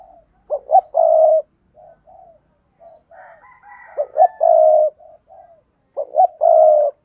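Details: Three coo phrases from a spotted dove kept to lure wild doves, each a double short note and then a long low hoot, with soft shorter coos and a faint higher bird sound in the pauses.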